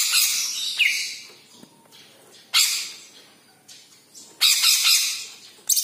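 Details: Yellow-headed green leafbird singing loud harsh, hissing phrases with a brief whistled slur, repeated in bursts a few seconds apart.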